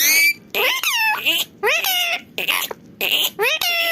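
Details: Indoor pet parrot chattering non-stop: quick harsh, nasal syllables in bursts of about half a second, each rising or falling, strung into word-like phrases such as greetings, with short gaps between them.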